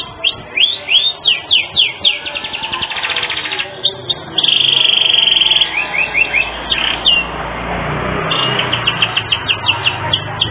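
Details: Active canary song with unique phrasing for training other birds: a series of sharp downslurred notes, a rattling trill, a loud steady buzzy tone lasting about a second, then more quick notes and a fast trill.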